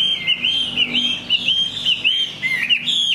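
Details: ['Chinese hwamei singing in the rain: loud, clear whistled phrases that loop up and down, repeated roughly every half second in a steady, rolling series.']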